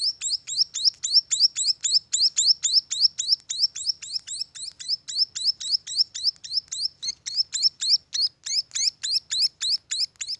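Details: Munia chicks at a bird farm giving rapid high chirps, each a sharp rising note, repeated about three to four times per second in a steady run without pause.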